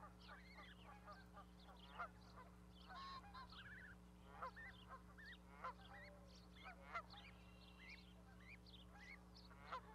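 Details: Goose with goslings on a Charlo, Montana osprey nest, May 12, 2020; scattered short honks recur throughout, mixed with plentiful songbird chirps and trills and an unbroken low hum.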